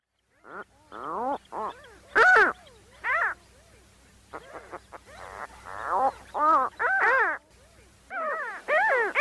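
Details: Gulls calling: a run of loud, harsh, harmonic-rich cries that rise and fall in pitch, given in short bursts and clusters with brief silent gaps, some calls overlapping, over a faint low hum.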